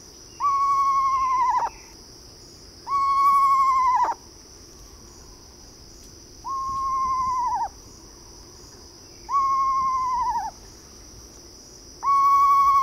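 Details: Eastern screech-owl gives five steady, mid-pitched tremulous notes of about a second each, each dropping at the end, roughly every two and a half seconds, over a constant high insect drone.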